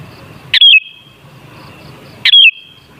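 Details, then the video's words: Sooty-headed bulbul singing, played as a lure for other bulbuls: two quick clear whistled phrases, sliding down then leveling off into a faint steady ringing, spaced roughly one and three-quarter seconds apart over quiet background. "Suara Burung Kutilang Sangat Ampuh Untuk Pancingan Jadikan Kutilang Ngamuk Gacor"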